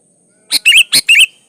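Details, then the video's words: Sooty-headed bulbul: one loud phrase of four quick notes, a harsh chirp followed by bright bubbly fluty slurred whistles, in a quiet setting. "Suara Burung Kutilang gacor Ampuh buat pancingan kutilang agar bunyi"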